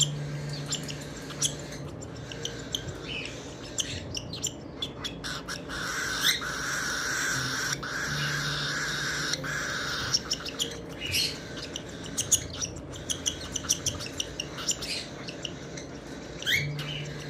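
A baby cockatiel gives a steady, raspy, wheezing begging call while being fed.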